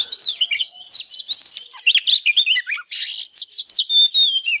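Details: Oriental magpie-robin in 'căng lửa' display song: dense rapid whistles and warbled notes, a scratchy harsh burst midway, ending with long pure whistles.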